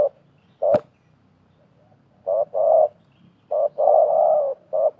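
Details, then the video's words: Wild and decoy spotted doves cooing against each other while trapping in 2024; short and longer mellow coos in groups, a sharp click near the start, faint low rumble behind. "TERKUKUR LIAR DAN PIKAT BERADU/BERLAGA HEBAT"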